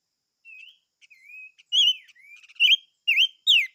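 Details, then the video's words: Silver-eared mesia singing: a series of clear whistled notes, some level and some sharply rising or falling, growing louder toward the end and given in quick separate phrases. No other sounds. "Chim Ngũ Sắc Hót - tiếng chim ngũ sắc hót"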